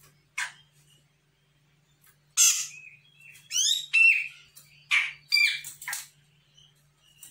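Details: A raw Sumatran grey-cheeked bulbul answers a lure call with a lively burst of harsh, scratchy chatter: rapid sweeping notes, rasping bursts and short whistled inflections, building after an isolated opening note.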